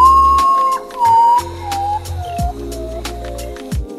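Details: Common potoo (Nyctibius griseus) call: flute-like whistled notes that step down in pitch, over soft background music with a low bass drone.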